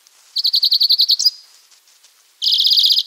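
A European greenfinch gives a quick, even trill of about a dozen bright notes. After a brief pause comes a second, faster and denser trill.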